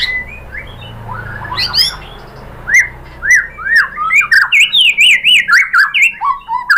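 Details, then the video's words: Song of the white-rumped shama, played to provoke rival shamas into answering and singing: a few scattered notes, then a fast regular series of sharp, upslurred whistled phrases repeating about twice per second. "memancing EMOSI MURAI BATU biar ikut GACOR BONGKAR MATERI ISIAN ¦ PANCINGAN MURAI ¦ SHAMA BIRD"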